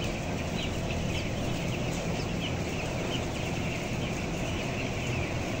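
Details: Upper-floor closed-house flock of 11,000 broiler chickens at 14 days old, weight 525 grams; constant overlapping high chirping from many birds against loud steady machine-like droning.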